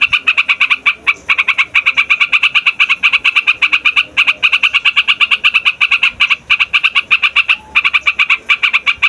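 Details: A noisy trucukan, or yellow-vented bulbul, pours out its long rolling lure song used for wild birds and young birds: fast pulsed chatter in long runs, with only a few brief gaps.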